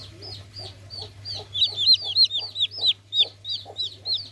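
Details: A chorus of baby chickens gives rapid, high, falling cheeps that grow louder and overlap, then settle into an evenly spaced string of peeps, with a faint hum underneath.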